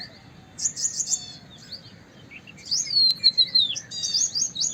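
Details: White-browed wagtail producing clusters of fast high chirps, then a long bright whistle gliding downward, followed by more quick twittered notes; quiet hiss between phrases.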